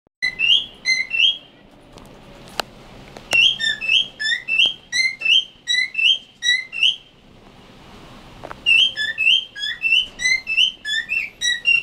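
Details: Cockatiel saying the Hebrew word for "parrot": quick runs of short, bright whistled syllables, pausing once before starting again, with a few sharp clicks.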